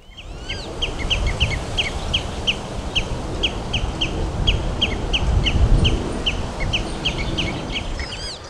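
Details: Young Common Redshank at Amsterdamse Bos begs for food nonstop in thin, high, upslurred peeps about three a second while a parent watches it from a fence; steady low rumble of distant traffic.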